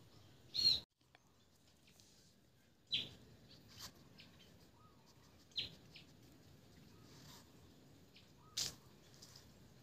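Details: Sparrow chirping in short, bright, high notes spaced irregularly every one to three seconds, five calls in all, with faint softer chirps between them and a quiet outdoor background.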